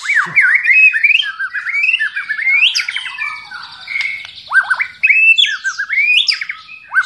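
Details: White-rumped shama in fighting song style, a rich continuous medley of quick slurred whistles, sharp upsweeps and downward-curling notes, high and varied with no pauses.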